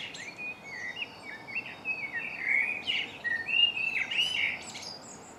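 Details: Birds singing at dawn in MK during March, captured on a Canon Legria camera: several voices overlap in continuous chattering, trilled and whistled phrases, some rising sharply to thin high notes, against constant low environmental hiss.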